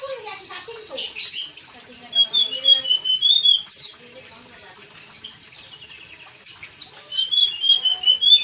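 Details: Several phrases from an actively singing Blue-and-white flycatcher, each a short burst of high, clear warbled whistles, separated by brief pauses, with sharper chipping notes between.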